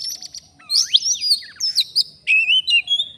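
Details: Indonesian wild magpie-robin, recorded while being lured: a rich, fast jumble of sweeping whistles, a long downslurred note and buzzy trills, over a faint low background hum.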